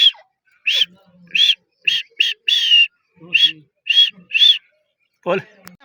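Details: Grey francolin calling, with the voice described as the female's. Short, loud, arched notes come in a broken, repeated series, some doubled, with faint low murmurs between them.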